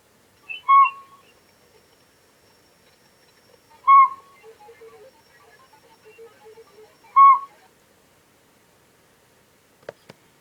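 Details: Owl at night in trees near a frog pond between the Great Lakes, giving three clear, hollow mid-pitched toots about three seconds apart, with faint murmur and clicks; identified as Northern Pygmy-Owl, though recordist believes it a Northern saw-whet owl.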